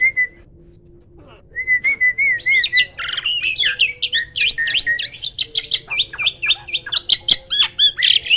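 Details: Black-winged starling, described as rarely encountered in the wild, opening with a thin wavering whistle that builds into a fast, lively series of sharp chirps and rasping notes.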